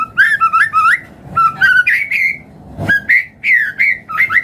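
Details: White-rumped shama song to encourage other birds to sing: quick bursts of rich, rising whistled phrases in clusters, separated by short pauses, with a faint low rumble.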